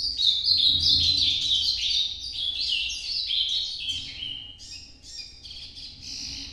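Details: Ultramarine grosbeak singing in the Nordeste (northeastern) song style, 'noturno' version: a continuous run of rich, warbled whistled notes, rising and falling quickly and tumbling together, loud at first and then fading slightly, with a low background hum.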